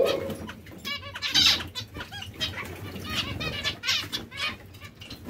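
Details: Breeding pairs of zebra finches chatter together, giving nasal, buzzy notes and short stuttering phrases in quick succession.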